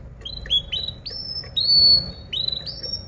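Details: Canary song used as a masteran, a tutoring recording for other birds to learn from: clear rising whistled notes that level off, repeated about twice a second with short pauses, over faint low background hum.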